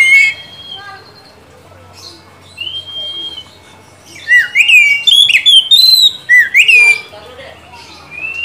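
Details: Oriental magpie-robin song used as a lure to stimulate another bird to sing: varied clear whistles, slurred rising and falling notes and sharp chirps, quiet at first then a loud burst of rapid phrases after four seconds.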